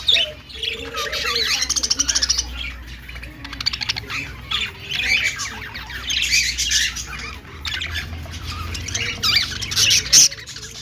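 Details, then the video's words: Singing budgies in a lively stretch of continuous chattering warble, rapid clicks, squawky notes and bright whistled chirps, rising and falling in loudness, with a faint low hum underneath. "Budgie singing and dancing || parakeet chirping sounds"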